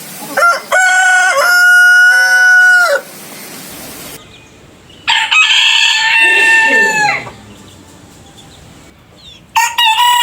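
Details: Rooster, one of several with its own distinct crow, gives a long, loud, harmonic crow that holds steady, then ends abruptly; a second crow follows after a quiet pause, and the start of a third cuts in at the end.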